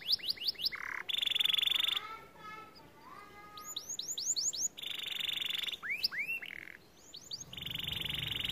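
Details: Softer, varied song of a white canary mixing quick upslurred whistles, short buzzy rolls, a low descending run and several bursts of high rapid trilling.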